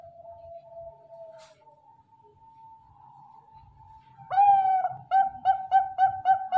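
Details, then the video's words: Zebra dove, called perkutut bangkok, in a master song recording: a long steady hum near one pitch, then from about four seconds a loud run of short, bright, evenly spaced coos with sharp onsets. "MASTERING PERKUTUT BANGKOK"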